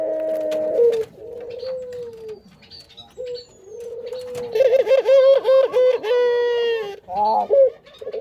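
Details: Barbary dove kept as breeding stock, cooing in a small room: a series of long, steady, mellow coos, some with a rough buzzy middle section, broken by short pauses, with faint clicks behind.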